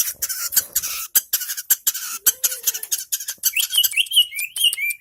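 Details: Long-tailed shrike singing in Indonesia, opening with harsh scratchy rattles and squeaks, a low brief squeak in the middle, then a string of clear whistled slurs toward the end.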